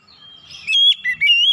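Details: Brief loud phrase from an untrained oriental magpie-robin: a thin level whistle leads into three strong, clear whistled notes, the last rising and held.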